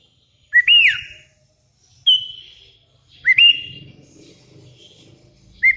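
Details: Sooty-headed bulbul, a lively vocal bird calling to rivals, with wild bulbuls answering; rich whistled notes rising then falling, a short phrase roughly every one to two seconds, with faint low rumble beneath.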